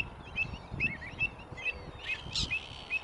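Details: Greater flamingos at South Atanasovsko Lake in July 2020, recorded during a monthly bird survey. Clipped, upward-bending calls repeat roughly twice a second. There is a brief hissy burst in the middle and faint low rumble beneath.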